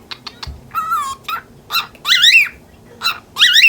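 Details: Lutino cockatiel aged ten months, annoyed at a budgie stalking it from across the cage, mixes clipped speech-like chatter and throat-clearing sounds with loud, harsh, rising screeches.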